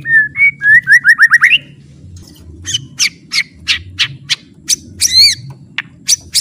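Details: Training song of a white-rumped shama with full 'isian': a quick rising series of whistled notes, then a string of sharp, high, separate chips and squeaky calls, over a low background hum.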